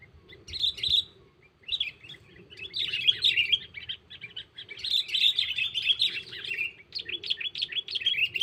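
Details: Sooty-headed bulbul calling a rival, played as a lure for bird catching without a trap: bursts of chattering, warbling chirps in uneven runs, growing busier toward the end, with a low steady hum beneath.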